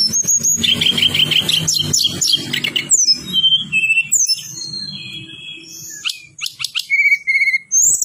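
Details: Striated prinia in dense rolling song, used as a lure to make other birds sing back: a fast stuttering trill of high notes, then varied whistles and chirps, with a low hum in the background.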